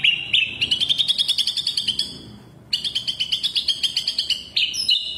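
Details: Lure song from a spotted young white-rumped shama meant to make rival birds sing: two long runs of rapid high pulsed trill notes separated by a brief gap, ending in sharp whistled notes.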